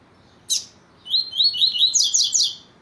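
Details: A Double-collared seedeater (Sporophila caerulescens; male song and female calls are used to stimulate captive males) gives one sharp high chip, then a quick run of bright, twittering high notes that grows busier over about two seconds.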